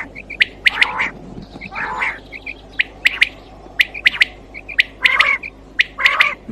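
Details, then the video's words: Quail sounds for night hunting: rapid, bright chirps and soft twittering notes interleaved with short buzzy squawks, repeated about once a second, over a low hum. "Quail Voice Sounds For Hunting Raat Ki liye Saaf Awazay Quail sounds Batair Ki Awaz"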